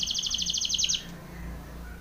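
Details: A Belgian canary sings a training phrase, a crisp, fast two-toned trill lasting about a second, then stops, leaving a low steady background hum.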